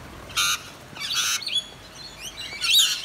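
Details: Wild rainbow lorikeets, drenched in the rain on a dreary day in eastern Australia, gather near a balcony and give harsh, high, screechy squawks in short bursts about every second, with thinner chirps between them over a soft hiss.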